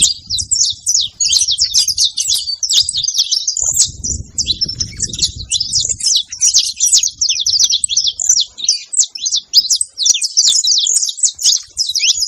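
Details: Several saffron finches on a farm making noise together: a dense, continuous chatter of high, sharp chirps and quick slurred notes overlapping without pause, with faint low rumbles in the background.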